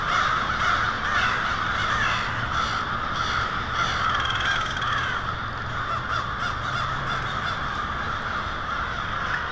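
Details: Evening roost of hundreds or thousands of American crows on Mary Avenue in Lansing, Michigan, February 2016; loud, ceaseless massed cawing that swells and eases slightly over several seconds.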